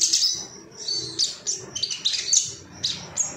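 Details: Ruby-cheeked sunbird, an agitated male seeking rivals, giving rapid high thin twittering chirps and squeaky notes in irregular bursts over low background rumble.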